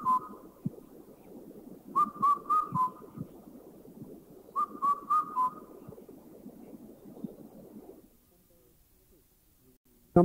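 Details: Indian Cuckoo in a Thai national park (Khao Yai, Doi Inthanon, Doi Suthep-Pui or Chae Son) giving two phrases of four clear, mellow whistled notes, the last dropping, about three seconds apart, over a steady insect hum.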